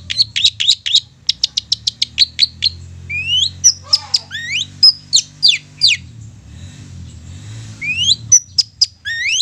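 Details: Long-tailed shrike song used as a lure for mute shrikes: a fast train of repeated sharp ticking notes, then a series of clear upward-sweeping whistles mixed with chips, over a soft low hum.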